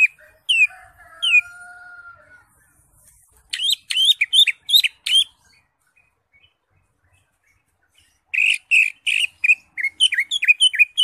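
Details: Green leafbird song played to stir a silent caged bird into singing: a few thin slurred whistles and a long steady tone, then clusters of fast, sharp whistled notes separated by a quiet gap.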